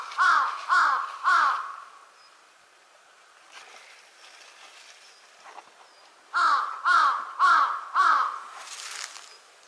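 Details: A large-billed crow at Konuma lake, Japan, on April 20, 2022, gives three loud, harsh caws at a steady pace, pauses, then caws four more times, with faint background noise filling the gap.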